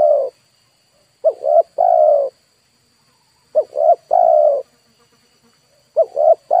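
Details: Spotted dove coo played to draw in wild birds, repeated about every two and a half seconds, each phrase two short soft notes then a longer hollow coo, with a steady high-pitched electronic tone in the background.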